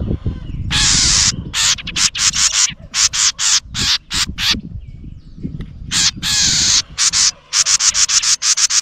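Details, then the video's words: Very close house wren scolding a GoPro placed near its nest: a long series of dry, raspy scolding bursts, some drawn out and others clipped and rapid, nearly continuous, over low rumbling noise. "Angry House Wren Attacks My GoPro!"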